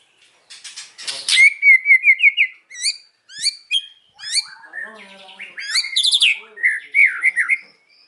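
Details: Singing white-rumped shama in the afternoon: a long clear whistle, then separate sharp upward-flicked notes, a low rasping interlude, and bright whistled phrases mixed with high chips.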